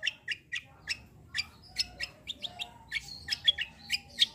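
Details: Black-winged myna in energetic fighting song, a steady run of sharp, high chirps repeated roughly every quarter second, some notes buzzier with thin whistled tails, against faint low background hum.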